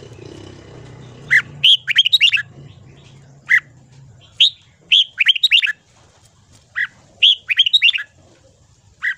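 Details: Morning song of a red-whiskered bulbul used for voice training: short whistled phrases of rapid rising and falling notes, given in clusters separated by pauses of a second or two.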